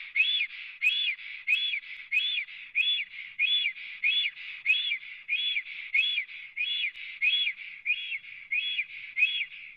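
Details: Black storks, three on their nest in Latvia, filmed by a live webcam on 24 April 2017 around midday; a long, regular series of whistled notes, each rising then falling, about 15 in ten seconds.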